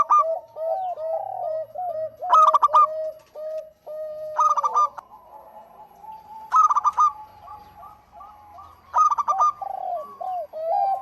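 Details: Local zebra dove singing actively, used as a lure: loud burst of rapid staccato coos recurs about every two seconds over a steady run of soft arched cooing notes, with faint low rumbling beneath.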